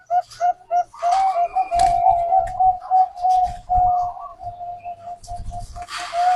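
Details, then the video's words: Local and Bangkok-type zebra dove singing as a lure for other doves: rapid chains of short cooing notes on one pitch, with several sustained tones, over intermittent low rumbling and a burst of hiss near the end. "Perkutut Bangkok gacor | perkutut lokal| pancingan perkutut"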